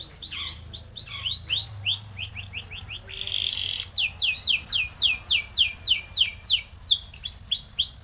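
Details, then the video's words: Spanish Timbrado canary training song packed with repeated bright downward-sweeping notes, broken by a short buzzy rattle, then long even series of loud sweeps. "Timbrado canary's most powerful song for training - CANARY TRAINING SONG"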